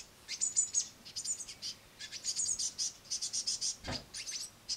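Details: A parent great tit feeds her noisy brood of chicks on a window sill with crushed madeleines. The chicks give a rapid stream of thin, very high chirps in quick bursts, with a single dull thump near the end.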